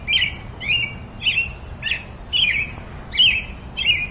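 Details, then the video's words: Robin singing a steady series of short chirped notes, each with a quick slurred downward tail, about seven notes spaced roughly half a second apart, over a soft low background rumble. "Very versatile melody of the pretty Robin bird"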